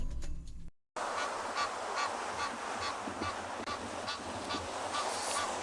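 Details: An adult mother Egyptian goose calling near her goslings on 1 May 2022, the goslings not visibly reacting: a rapid run of harsh, raspy honks, about three a second, over background hiss after a brief murmur of voice.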